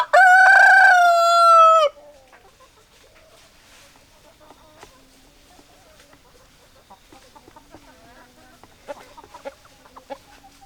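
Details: Chickens, hens and roosters together: a loud, steady, harmonic rooster crow lasting about two seconds, then a long stretch of soft scattered clucks and low murmuring from the flock.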